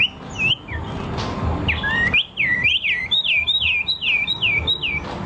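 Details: Bird song of looping whistled notes, a few scattered at first, then a steady run of about ten rapid sweeping notes, each dipping and rising; low background noise.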